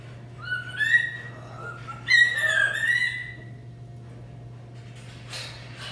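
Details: Indoor pet macaws giving clear, whistled, gently rising and falling tonal calls with strong overtones, two main phrases in a few seconds, then a brief rustle, over a constant low hum.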